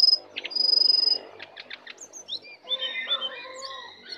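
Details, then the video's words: A wild lesser shortwing approaching aggressively gives a sustained high whistle, a few quick clicks, then a tumbling set of warbled, twisting notes at lower pitch. "Jongkangan/cingcoang coklat Liar Datang Menyerang"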